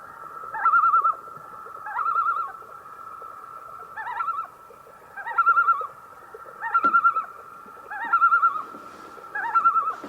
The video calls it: Common Loon Bird Call